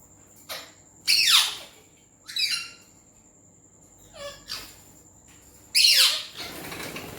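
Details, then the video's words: Pet Indian green ringneck parrot speaking Urdu/Hindi words. It gives loud, rasping syllables with downward-sliding tones, spaced a second or more apart, then a final hissy burst over a faint constant background whine. "Indian Green Ringneck Speaking Parrot | Green Parrot Talking Beautiful |Parrot Talking In Urdu/Hindi"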